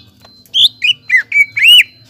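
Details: Greater green leafbird song played as a lure to encourage untrained birds to sing: five rich whistled notes of varied shape, swooping and slurring, ending in a long rising-then-falling whistle, over a faint low hum.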